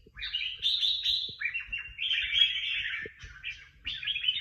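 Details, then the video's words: Bird singing in a contest, among the prize winners: loud, sweet warbled phrases separated by short gaps, some notes sliding downward, with occasional faint taps behind. "Những chú chim hót đấu hay nhất và được nhiều giải nhất"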